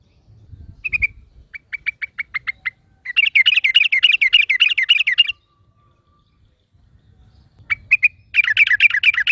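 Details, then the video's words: ['Wild Yellow-vented Bulbul answered by a second bulbul: a few spaced chirps, then a long, dense bubbling chatter, silence, and another burst of rapid tumbling notes at the end.'] "KICAU Burung Trucukan Ngalas Trucukan Lain Langsung Nyaut"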